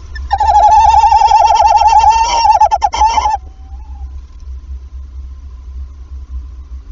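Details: Tawny owl at a nest in Wassenaar on 11 February, evening, shortly after the female laid her first egg, when male and female call back and forth. A tremulous, wavering trill of about three seconds, then a short soft tone and quiet.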